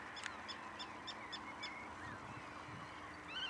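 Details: Pied avocet at the Waterland-Oost nature area, Durgerdam, Holland, on 6 May 2011: a run of short, clear, ringing notes repeated roughly every third of a second, followed by softer scattered bird calls over a steady low background hum.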